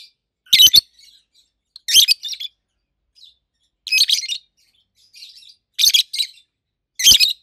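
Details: A pair of adult rosy-faced lovebirds kept as pets, red-head green opaline and white-head pallid aqua opaline, utter loud, piercing, treble chirps in bursts roughly every one to two seconds, with faint twittering between.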